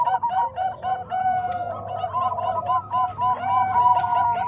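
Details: Bangkok and Cemani Kolbuntet perkutut (zebra dove) voices combined: steady runs of soft, hollow coos, about three or four per second, with two or more birds overlapping and a low background hum.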